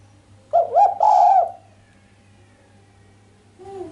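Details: Sharp coo from a female island collared dove, lacking the final 'kuk' and meant to stir the male: a short note, a rising second note and a long level coo, followed by quiet and faint low hum.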